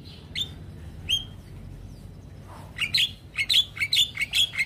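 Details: Javan myna suddenly stressed after another Javan myna's call: two isolated whistled upslurs, a brief pause, then a fast, uneven series of sharp chirps and bent whistles running to the end.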